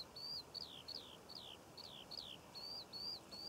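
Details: Eurasian skylark singing in June above poppy fields in Cornwall, here a series of clear, repeated down-slurred whistled notes, about three per second, with a few flatter, drawn-out whistles.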